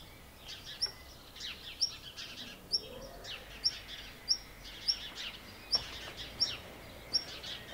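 Black redstart giving sharp, very high 'tsip' notes, about nine in eight seconds at an uneven pace, with softer chirping from other birds behind.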